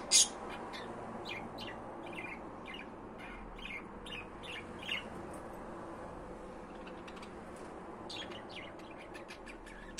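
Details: Budgerigars calling with scattered sharp chirps and a loud squawk at the start, notes spaced about half a second apart, a busier burst of chatter near the end, low room hum beneath.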